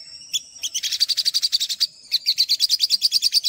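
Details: Olive-backed sunbird, known locally as sogok ontong, singing for a training recording meant to draw out raw birds: a few thin whistles, then a fast even run of high chips, a pause, and another quick run.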